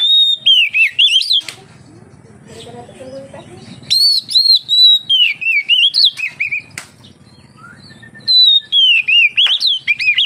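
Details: Oriental magpie-robin singing, meant to draw other magpie-robins into song: bursts of loud, sliding, whistled phrases separated by quiet gaps with a low background hum, each burst made of short quick notes rising and falling.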